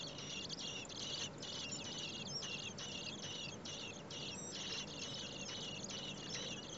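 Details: Common blackbird nest with four chicks, parents busily carrying food in over 30 °C heat: the nestlings keep up an insistent chorus of high, rasping chirps in uneven bursts roughly twice a second for the whole stretch.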